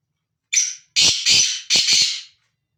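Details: Free-roaming black francolin calling: a short harsh note, then three loud grating, rasping bursts in quick sequence, all within two seconds and in silence.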